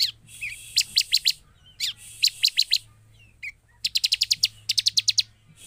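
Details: Bar-winged prinia (ciblek) call used as a lure to provoke silent or stalled birds into responding: bursts of rapid high sharp ticking notes in repeated series of four to eight, with brief slurred chirps between and a low steady hum beneath.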